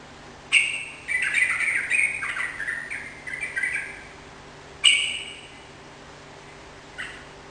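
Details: Sooty-headed bulbul giving lively song to stir a kept bird into responding: a sharp note opens a rapid, chattering run of warbled notes lasting about three seconds, followed by two more single notes.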